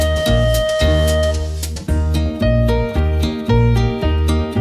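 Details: Plucked guitar-like instrumental music plays in a lively rhythm, with no animal sounds.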